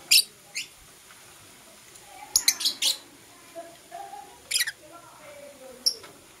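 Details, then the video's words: Lovebirds of Blue Opaline and Parblue Euwing Opaline colouring chirp in the morning, giving shrill, clipped chips singly and in short bursts of two or three, with faint softer twittering between. "Lovebird Chirping Sounds"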